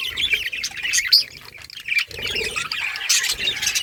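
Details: Several budgies warble together, a busy mix of short chirps, squeaks and scratchy squawks running continuously with a few clearer whistled notes.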